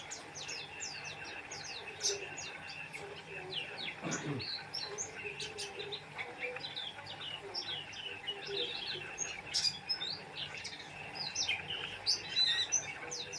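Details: Energetic Oriental white-eye song of dense, high, sharp chirps and brief twittering phrases, tumbling irregularly, over a constant low hum with a brief louder thud midway.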